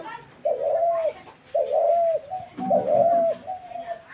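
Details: Dove recorded on March 28, 2024, giving three mellow, hollow coos about one second apart, each a smooth drawn-out note dropping at its close. A faint human voice murmurs briefly under the third coo.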